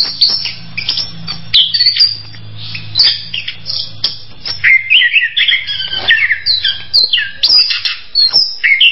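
Orange-headed Thrush singing a rich, varied run of quick whistled and warbled phrases, mid to high pitched, over a faint low hum.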